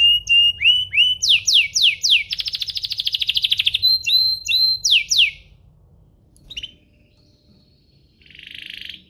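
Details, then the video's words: Canary singing to provoke a response from other canaries: quick whistled slurs and downward sweeps around a dense buzzy trill, then near silence with a faint soft buzzy phrase at the end. "Pancingan kenari biar gacor"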